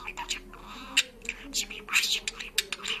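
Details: Parrot that speaks and sings in Georgian, uttering a rapid run of raspy, word-like syllables in a small room.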